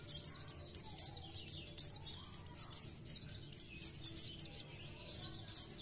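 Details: Oriental white-eye's 'gacor nembak' song, a continuous stream of very high, quick twittering and whistled slurs over a steady low background hum.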